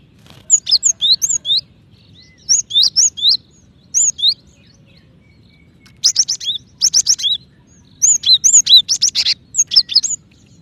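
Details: Calling female cinereous tit seeking the male: busy series of shrill, twittering chirp groups, some buzzier and harsher, coming in quick bursts with brief pauses, against a quiet low background hum.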